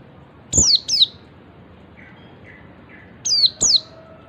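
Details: Oriental white-eye in ngalas calling, the call said to prompt other white-eyes to join in: two pairs of high, steeply falling thin whistles with a gap between, and faint soft chirps in the pause.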